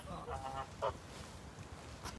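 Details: Three domestic Steinbacher Fighting Goose brothers (listed as swan goose) roam freely in a zoo. One gives a nasal, buzzy honk and a short second burst, then a single sharp honk, over a faint low rumble.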